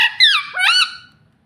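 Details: Green ringneck parakeet giving a single short, harsh two-part squawk, falling then rising in pitch, in a quiet room.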